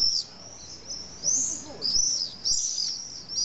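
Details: Common swifts nesting under four metres high in drain holes of a retaining wall in Nice, France. Three separate shrill, high screaming bursts are separated by brief quieter gaps.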